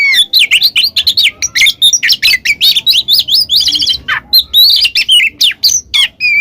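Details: Oriental magpie-robin in the ngeplong ngekek singing style, used as a lure for a reluctant singer. A dense, continuous stream of chattering, whistled and squeaky notes, rapidly varied, with faint low background rumble.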